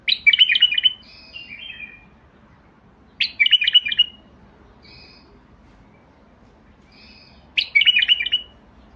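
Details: Basra bulbul song of rapid, rich warbled bursts with fainter paired whistles between them, three loud phrases spread across several seconds, backed by a low steady hum.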